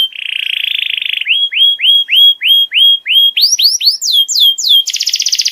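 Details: Canary master song used to tutor young canaries: a long steady whistled tone, then a row of identical rising-falling swept notes about four per second, climbing into higher swooping phrases and ending in a fast buzzy trill.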